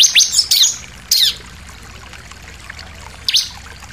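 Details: Sunda pied fantail in a shooting song with variations, for tutoring captive birds: a few loud, scratchy downslurred high notes in the first second and one more near the end, with quiet gaps between.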